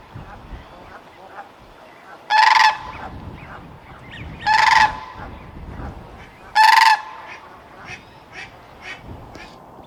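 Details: Wild sandhill crane giving three loud, rattling, bugle-like calls, about two seconds apart, with faint softer sounds in the background.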